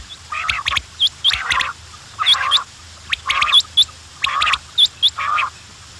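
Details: Quails giving grouped, harsh squawking bursts topped by thin, high, upturned chirps, with clusters about every second and brief gaps, over a steady low hum.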